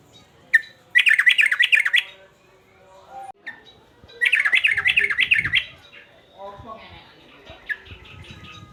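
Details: Excited male sooty-headed bulbul singing hard in the uplik-uplik sambung garuda style: two bursts of fast, rolling, warbled whistles, each about a second long with some ten notes, separated by short pauses and a few isolated chips; light background rustling.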